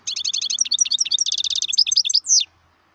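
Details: Wild European goldfinch song, a fast run of liquid high twitters and tinkling notes blending into a buzzy trill, closing with a downward-sweeping nasal note.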